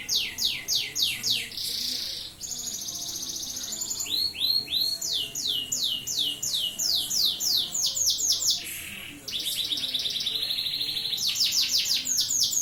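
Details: Canary singing at night, a long rapid song of repeated high buzzy trills and rolling phrases, each run of notes sweeping downward, shifting to a new phrase every second or two.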